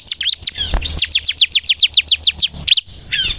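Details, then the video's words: Bar-winged prinia of the type called ciblek kristal, singing energetically in the rapid 'nembak' style used to prompt other birds to sing: a fast run of sharp, high, downward-swept chirps, about fourteen in quick succession, ending with a buzzier note. "suara burung ciblek kristal gacor nembak"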